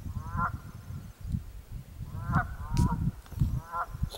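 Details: Two Canada geese at Mud Pond in Jefferson, New Hampshire, giving three loud, nasal honks with rich harmonics, spaced over a few seconds, over a steady low rumble.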